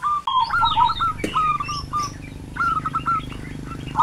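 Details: A zebra dove calls in a Kebumen village, Central Java: several sliding, whistled coos in uneven bursts, mixed with other faint chirps and a sharp click, over a low background rumble.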